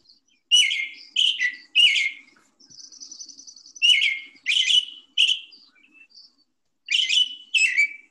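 American Robin singing rich, caroling whistled phrases in quick runs of two or three, with a thin, high, hissy note between groups; no other sounds.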